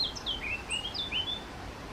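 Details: Collared flycatcher at a garden nest site in spring. A quick run of thin, high whistled notes, some sliding downward, others short and flat, over quiet low hum.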